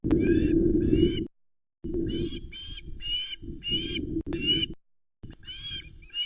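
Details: Juvenile osprey screaming for fish on a nest at Loch Arkaig, filmed by nest camera on 17 August 2020; loud harmonic screams in short bursts, a few per second, broken by pauses, over steady low wind rumble.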